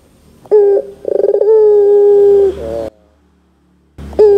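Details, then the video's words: Barbary dove coo intended to lure young doves into responding: a short low note, a rapid trilled stutter, then a long level coo, a pause, and another coo starting at the end. "PANCINGAN PUTER GACOR DOR TERMEWAH 2024, WAJIB COBA, PUTER BAHAN MUDA PASTI NYAUT !!!"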